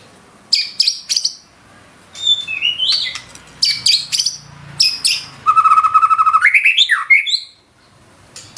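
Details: White-rumped shama in full 'gacor' voice delivering 'isian' fill-in song: high chirps and clicks, then a rapid rattling trill that climbs into sweeping whistled notes, followed by near silence.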